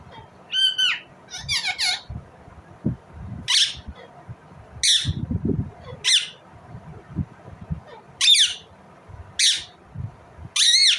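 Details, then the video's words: Short, abrupt, rasping squawks from an Indian ringneck parrot, given singly about every second or so. A ringing screech opens the sequence. Quiet knocks sound between calls. "Indian Ringneck parrot Natural sound, parrot chirping sound"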